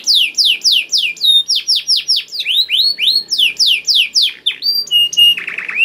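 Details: Canary in full song, played as a lure to get canaries singing; rapid series of loud downward-swept whistles about four per second, then rising slurs and a closing buzzy low roll.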